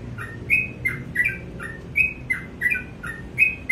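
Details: Morning song from a sooty-headed bulbul, bright whistled note pairs, higher then lower, given at a moderate pace with short gaps, over a faint low hum.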